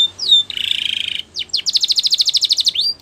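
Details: Spanish Timbrado canary training song: a high, steady buzzy trill, a few quick sliding notes, then a fast, evenly pulsed rolling trill ending in a rising whistle.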